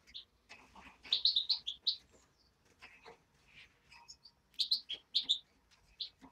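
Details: Hand-reared European greenfinch chick giving bursts of sharp, high chirps, several clustered quickly together then pausing, with faint low murmuring and soft indoor noises beneath.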